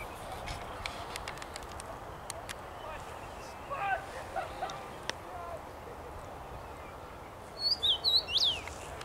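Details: Rosefinch in song from a tree, 23 May 2021: scattered clicks and a few faint notes, then a bright phrase of four quick slurred whistles near the end over a low rushing background.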